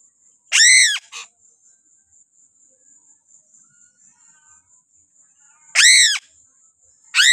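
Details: Piping crow from Sulawesi, handled at close range, gives a loud harsh scream, a short fainter note, then a long pause before two more screams, over a steady thin high whine.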